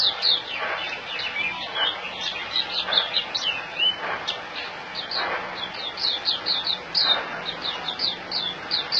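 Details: White-eye, locally puteh, kept in Singapore, gives rapid high twitters and short downslurred notes. Scattered broadband knocks and background noise partly mix with the song.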